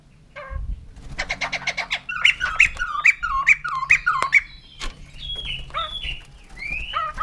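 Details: Laughing-bird song from a white-crested laughingthrush: a buzzy stutter leads into a steady series of squeaky, bouncing notes about three per second. Shriller upslurred whistles come near the end.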